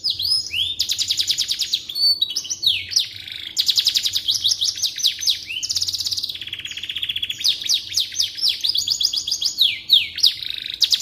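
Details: Canary song used as a tutor recording for training white-rumped shamas: fast rolling trills, buzzy rattles and sweeping whistles packed together, phrases changing every second or two with almost no pauses.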